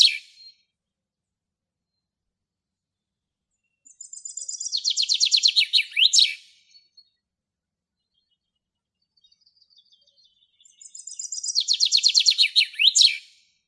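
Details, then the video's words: Common chaffinch in the wild in Greece, singing two full strophes about seven seconds apart, each a rattling run of high notes that quickens, drops in pitch and ends in an emphatic flourish, with quiet gaps between. "ΣΠΙΝΟΣ ΚΕΛΑΗΔΗΜΑ - Common chaffinch Singing"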